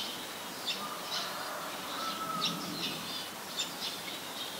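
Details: Eurasian tree sparrow, a very common resident, recorded in Ubon Ratchathani, Thailand, on 22 November 2019: short bright chirps repeated roughly every half second over steady background hiss, with a faint thin whistle midway.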